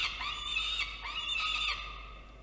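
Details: Peregrine falcons at a nest in Orange, New South Wales, Australia, on 18 November 2022, filmed by a nest camera while the young birds play about. They give loud, harsh, wailing calls with rising and falling notes over a steady hiss.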